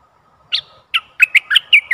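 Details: Decoy bulbul calling in a very old wild bird, recorded in August 2021: two separate bright notes, then four quick chirpy notes that rise and fall.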